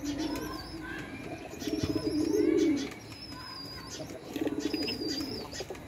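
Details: A mother pigeon feeds her baby while deep, rolling, grunting coos swell loudly for about a second at a time, twice; thin, wavy high whistles from other birds sound repeatedly above.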